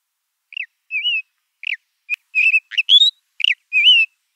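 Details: Ant-eating chat (Myrmecocichla formicivora) calling: a series of short, clear whistled notes, some slurred up or down, roughly one or two a second against a silent background.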